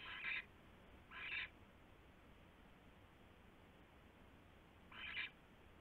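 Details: Owl that landed on a nest tray at night, February 3, 2016; three loud, harsh hissing screeches, the first two close together, the third after a pause of nearly four seconds.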